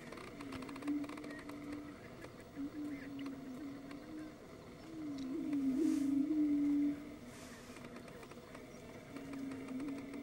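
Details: Prairie chickens strutting on a lek in spring, displaying to attract females, filmed from a car used as a blind: low hollow moaning hums, several overlapping, one swelling louder in the middle, against a steady background hiss.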